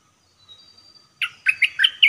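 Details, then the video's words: Red-whiskered bulbul, a caged decoy bird for trapping, after a faint thin whistle breaks into a quick series of five loud, liquid chirping notes. "เสียงต่อนกดอกแตงEp.76นกต่อเจ้าแบงค์(เสียงใหม่ล่าสุด)ดอกล้วนๆ01-09-2021Suara pikat merbah lekir"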